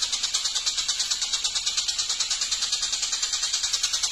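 Long-tailed shrike giving a fast, harsh, high-pitched chatter, about seven scratchy notes a second in an unbroken run.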